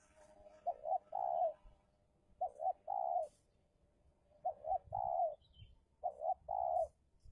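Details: Spotted dove decoy in an Indonesian luring battle with a wild rival repeats its phrase four times: two short, bouncing coos then a longer, purring coo, about every one and a half to two seconds.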